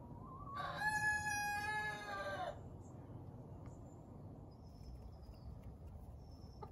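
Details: Young Easter Egger rooster kept in an urban backyard flock, newly crowing and showing interest in hens; one harmonic-rich crow that swells and holds about two seconds before breaking off, then steady background hiss with faint high chirps.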